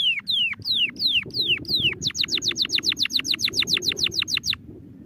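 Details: Domestic canary giving slower, drawn-out descending whistles, then switching to a rapid, even series of short falling notes before stopping, over a faint low hum.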